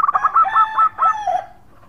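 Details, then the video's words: Local zebra dove calling to companions with a khong crewet song: a short burst of rapid, bright cooing notes ending in a falling, softer slur. "Perkutut Lokal Gacor Suara Khong crewet panggil teman."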